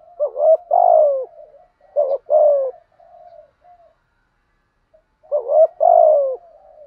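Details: Decoy spotted dove giving urging 'gù thúc' coos meant to make wild doves answer: three loud two-part phrases with soft, low murmurs between them and a brief silent gap.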